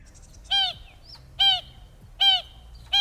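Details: Acacia pied barbet at Augrabies Falls National Park, South Africa, giving its distinctive call: loud, nasal, trumpeting notes, each about a quarter-second long, repeated steadily almost every second, with a faint higher chip between.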